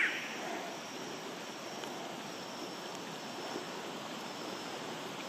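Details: Steady broadband rush of flowing water throughout, with no animal calls.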